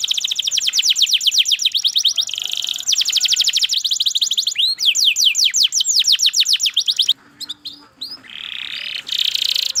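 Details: Canary in prolonged song: long rolls of fast, high, repeated notes, loud sweeping whistles, then scratchy buzzy phrases near the end.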